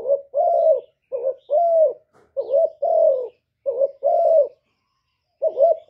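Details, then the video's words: Spotted dove coo series: a clipped wavering note followed by a longer husky coo. The pair repeats several times, then a pause, then a final phrase begins. "CU CƯỜM GÁY"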